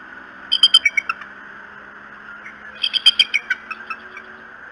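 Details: Bald eagles at the Decorah nest on the morning of 21 March 2018 give two bursts of rapid, high, sharp chittering notes, six or seven in each burst, with a short pause between them over a steady low hum.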